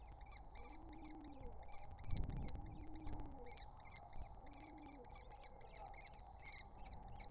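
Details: Wild common kestrel nestlings, three of them at the nest entrance, keep up a run of high, repeated chittering calls, with a brief burst of low rumbling noise midway and soft cooing beneath.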